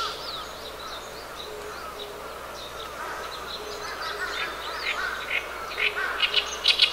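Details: Oriental reed warbler, recorded 10 June 2012, with its rough, gravelly voice: quiet start, then louder harsh chattering notes building toward the end, while another bird's soft repeated low calls and distant chirps run throughout.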